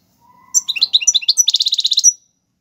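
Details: European goldfinch, Algerian royal type, singing for young birds to learn tiwawati galoubi and serfati styles: quick high twittering notes that run into a steady buzzy trill of rapidly repeated notes, with a faint steady tone at the start.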